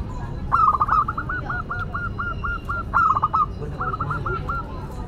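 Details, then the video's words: Local zebra dove in full song with a classic, unusual voice: a long string of quick, evenly paced coos, a denser trilled burst in the middle, then a shorter repeat. "Perkutut Lokal Gacor Suara KLASIK Dan UNIK"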